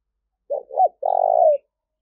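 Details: Spotted dove cooing, used to lure wild doves: two short low hollow notes followed by one long, even, purring coo that slightly falls at the end, clean and close with no other sounds.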